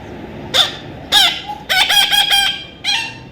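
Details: Baby parrot giving harsh, nasal squawks: three separate calls, then a quick run of rasping notes, with another squawk at the end. Quiet background.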